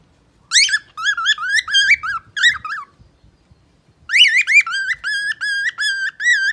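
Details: Singing pet parrot with two phrases of rich, looping whistles, the first of repeated wavy notes, the second after a pause holding steadier, evenly spaced whistled notes.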